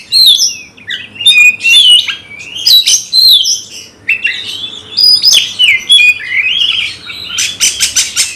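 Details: Magpie-robin in a cage, provoked into fighting mood, pours out loud whistled phrases with rising and falling slurs, then closes with a fast series of sharp rattling clicks.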